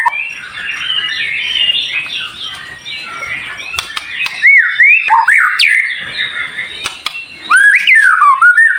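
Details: White-rumped shama tutor song, dense and high-pitched: a muffled, busy chatter at first, then clear looping whistles that rise and fall, with a final burst of quick slurred notes.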